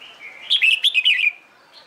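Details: Red-whiskered bulbul trained for competition singing: a single rollicking phrase of about five quick slurred whistled notes, bright and bouncing, lasting under a second after a faint lead-in note.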